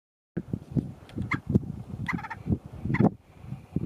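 White-tailed ptarmigan giving low, rapid clucking and croaking notes, several a second, broken by a few harsher nasal bursts; no other sounds stand out.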